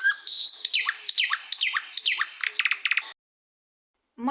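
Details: A nightingale, a small grey migratory bird back in spring, sings loud, rich phrases of repeated down-slurred whistles ending in rapid, buzzy notes.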